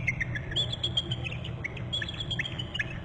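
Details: Two bald eagles trilling together at their nest on Hornby Island, January 28 at 16:30, after one flies in from the left to a short left branch; nest camera. Rapid high chirping notes run throughout over steady low rumbling background noise.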